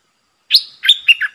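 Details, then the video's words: Decoy red-eyed bulbul challenging wild birds: a bright rising note sliding into a short bubbly, warbling phrase of three linked notes. "เสียงนกดอกแตงEp.110Birds sounds #นกต่อเจ้าขุนศึก สับริกใส่นกป่า Suara pikat merbah lekir"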